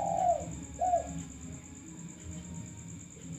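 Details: Two gentle, low coos open this lure recording of a vocal male spotted dove: a longer note then a shorter one, followed by quiet background hum and a steady high whine.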